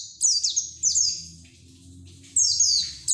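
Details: White-eye in 'ngeriwik teler' wild-style song, used as a lure and therapy so raw white-eyes start singing; bursts of high, sharply falling chirps run together, a quieter gap midway, then a renewed burst, with a soft low hum beneath.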